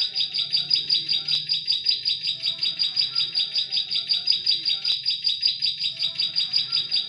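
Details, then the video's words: Bar-winged prinia singing, used as a decoy sound to attract prinias in forest: a continuous train of sharp, high, evenly spaced chip notes, close to three per second, with a brief click twice. "SUARA PIKAT CIBLEK SAWAH SANGAT COCOK UNTUK SUARA PANCINGAN PIKAT PRENJAK KLIK DI HUTAN"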